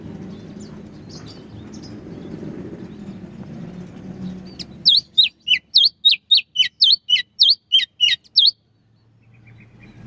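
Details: Relaxed, loud morning ngeplong singing by a sooty-headed bulbul, played to provoke a quiet greater green leafbird: low background hum, then a fast even run of about fourteen sharp whistled notes before it falls quiet.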